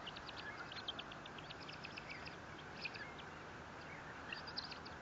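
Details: Bald eagle at its Fort St. Vrain nest, 57 feet off the ground, on 18 April 2024. Faint series of rapid, high, thin staccato notes in the first two seconds, a few more later, over a steady background hiss.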